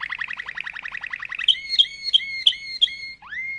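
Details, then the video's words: Malinois canary singing a series of rapid rising notes that merge into a fast trill, then five sharp bell-like notes with harmonics and a final upward-sweeping whistle. "chant canari malinois;canto canario malinois;تغريد كناري مالينوا"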